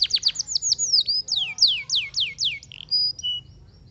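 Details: Canary song phrase of loud, clear downward-slurred whistles repeated about three per second, ending with short flat high tones.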